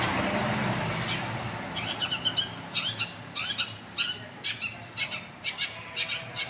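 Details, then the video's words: Long-tailed shrike, a forest-bred bird, singing energetically: a series of short, sharp, high chattering notes about twice a second over steady background noise with a low rumble. "suara burung cendet MH bunyi gacor"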